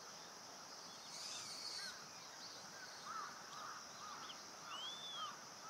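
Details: Oriental Pratincole on Amami Oshima, Japan, giving a few short, arched, tern-like notes at scattered intervals, faint beneath a steady high insect hiss.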